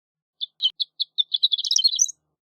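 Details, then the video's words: Horned lark, called shore lark in Europe, singing: a few spaced high tinkling notes that speed up into a rising, jumbled twittering run, ending on the highest notes; background otherwise silent. "Horned Lark Bird Singing, Sound, Calling, Voice - Alondra Cornuda Canto"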